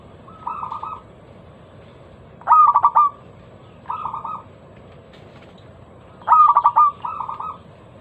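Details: Lure song of a local zebra dove, loud and crystal-clear, meant to set other doves singing: four half-second phrases of quick rolling coos, soft and loud in turn, with pauses between.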